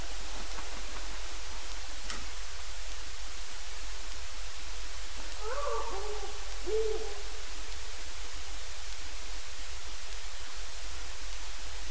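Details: Far-off wild Great Horned Owl making a rare single squawk amid "wild" hoots: one harsh, harmonic burst followed by a shorter low note near the middle, with steady low-pitched background rumble throughout.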